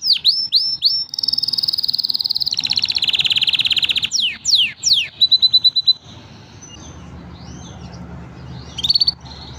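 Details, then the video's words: Canaries, five of them, singing a training song: a few sharp swooping notes, a long buzzy trill, then hard descending whistles before the singing fades into near silence with scattered soft notes. "5 canary birds singing / best training song"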